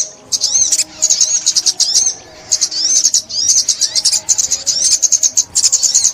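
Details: Sunbird singing in 2021, linked to bird trapping: after a quiet start, bursts of rapid high chirps and looping slurred notes, in several phrases with short breaks between them.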